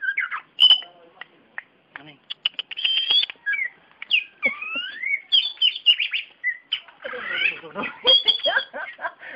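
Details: A contest-winning kacer, the Oriental magpie-robin, sings from its cage. After a sparse start of a few clicks and whistles, the song builds into rich, varied phrases of sliding whistles, chattering runs and buzzy notes, with short gaps between them.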